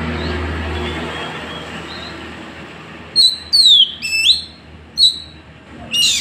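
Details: Oriental magpie-robin from Woncoyo village, Trenggalek, phone-recorded, giving a challenge song: after three seconds of low rumbling background, a series of clear, sharply sliding whistles, some rising and some falling, with short pauses between.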